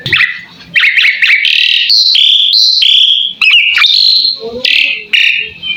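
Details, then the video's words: Jalak suren, the Asian pied starling, sings a dense medley of sharp chattering notes, stretched whistled tones and harsh squeaky phrases, delivered almost without pause, used as a master recording for training songbirds. "Suara burung jalak suren , full masteran bikin ikutan nyaut"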